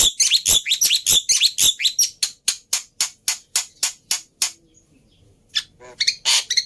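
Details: Black-winged myna chatter used to coax silent birds into song: a rapid run of harsh, clicking broadband notes, about four per second, slowing and fading, followed by a pause and a final scratchy burst.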